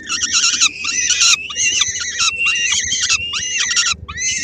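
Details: Peregrine falcon female with a small bite for three-week-old chicks, Helmond, 13 May 2016. Nearly continuous loud screeching with wavering harmonic tones, broken by brief dips, ending in a few separate cries.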